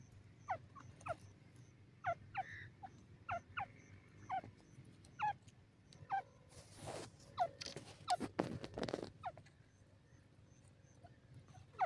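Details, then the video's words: Francolin (partridge, called teetar) giving sharp, high downward-sliding notes repeated irregularly about every half second, with bursts of rustling near the end. "pheasant bird sound, partridge voice, teetar awaz"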